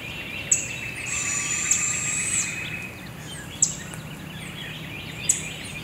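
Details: Young barred owl at Devil's Den Campground, one of two owlets fed by their mother in morning forest; a sustained, thin, hissing screech about a second long, sharp clicks scattered through, and faint birdsong beneath.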